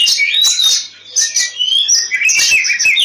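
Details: Oriental magpie-robin fighting song, used as a lure to get other magpie-robins singing: dense, varied whistled and scratchy phrases, high and continuous with a brief dip before resuming.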